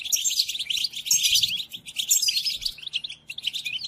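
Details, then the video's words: European goldfinch song for training caged goldfinches: bursts of jangling, buzzy twitter with short liquid notes, dipping briefly in the middle before rising again. "قدم هذه الآصوات لطائرك الحسون وشاهد ماذا يفعل Chardonneret"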